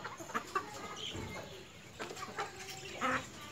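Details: White Leghorn chickens, a hen and rooster, making soft clucks and brief tonal notes, with a sharper squawk-like note near the end, among faint rustling and background hiss.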